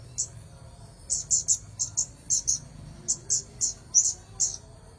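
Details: Red-headed bunting singing actively: short, high, sharp chirps in quick pairs and bursts, with gaps of about a second between groups, over a steady thin high tone and faint low hum.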